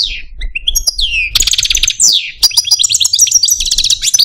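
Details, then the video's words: Male Algerian Parva goldfinch in a cage delivering a complex song: downslurred whistles, rapid buzzy trills and tinkling twitters in quick succession. "Algerian Parva goldfinch, Chardonneret, Cardelino, Jilguero Stieglitz, Stillits"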